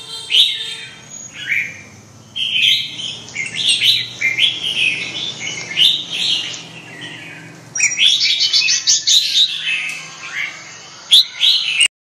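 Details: Red-whiskered bulbul delivering a long series of short, bright warbled phrases, closely spaced, with a denser, busier burst of notes in the second half.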